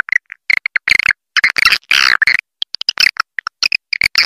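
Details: Lure call for attracting swiftlets: a rapid, choppy series of short high chirps and clicks, some in quick clusters, with a few brief harsher buzzy bursts in between.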